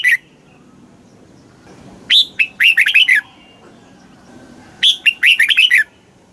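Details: Southern master-pattern song of a red-whiskered bulbul in Thailand, played to stimulate caged birds and teach chicks: a brief note at the start, then two lively phrases of rapid, rising and falling whistles about three seconds apart.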